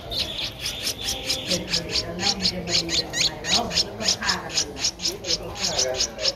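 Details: Streak-eared Bulbul chick, 12 days old, eyes open since day seven, Ubon Ratchathani, Thailand, 14 April 2023: rapid high, sharp squeaky notes repeated about twice a second, with people talking faintly underneath.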